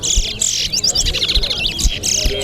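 A seed-finch pours out a fast, high twittering song of sweet whistles and quick slurred notes with no pauses. Low rumbling noise sits underneath.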